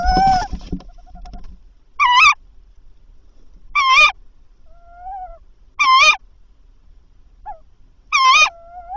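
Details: Male tawny owl calling at 21:50 before bringing a mouse to the nest: harsh, nasal, harmonic calls that rise then fall, repeated about every two seconds, four in a row, with softer lower whistled notes between them.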